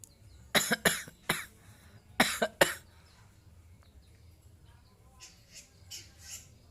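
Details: Two bursts of a person's loud coughing, after which the pet long-tailed shrike replies with a few soft, high chirps near the end.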